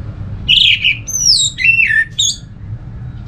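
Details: Orange-headed thrush giving a varied whistled phrase, used to prompt other thrushes to sing: a strong warbled opening, then high sliding notes that drop sharply and end in a short rising flourish, above a low rumble.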